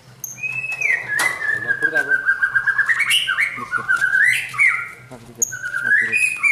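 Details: White-rumped shama in training to build a champion temperament, giving a varied whistled song of sliding, rising and falling phrases with rapid trills and chatter, plus a low steady hum underneath.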